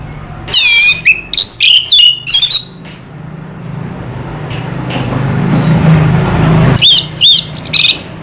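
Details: Orange-headed thrush, known locally as anis merah, singing: bursts of high whistled and twittering phrases with sweeping notes, a pause filled by low rumbling background noise, then more whistled notes near the end.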